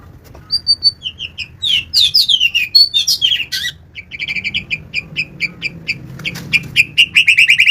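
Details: White-rumped shama singing a lively, varied song: clear high whistles and slurred notes, then a run of short sharp chips repeated in quick succession, ending in a fast buzzy trill. Quiet low hum in the background.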